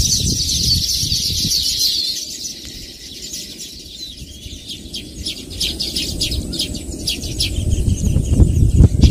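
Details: Baya weaver birds give a burst of thin, high chattering at the start. The chattering then fades into scattered chirps while low rumbling noise grows louder toward the end.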